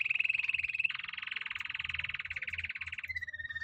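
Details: Imported canary in song: a thin whistled opening note, then dense rapid rolling trills held steady for over two seconds, ending in a clear sustained whistled tone; faint low rumble in the background.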